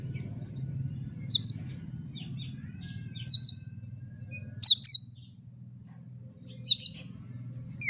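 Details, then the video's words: Oriental magpie-robin (kacer) fighting-bait song meant to draw a rival: paired sharp, high descending chirps repeated roughly every one and a half to two seconds, with thin whistles between, over a faint low hum. "pancingan kacer agar tarung"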